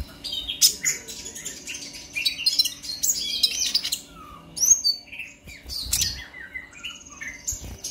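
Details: Purple-throated sunbird giving emotional 'ngobra' chattering used as a lure for other konin: dense, high twittering runs, a few lower slurred notes, with a short lull near the middle before the chatter resumes.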